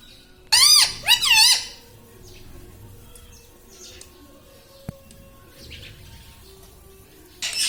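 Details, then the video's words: Pet parrot saying words such as mummy and mithu; two quick, shrill, wavy syllables early on, then a quiet room with faint clicks and a brief loud burst at the very end. "Mummy bolo mothu || mummy ka pyara tota || bolo mithu mithu"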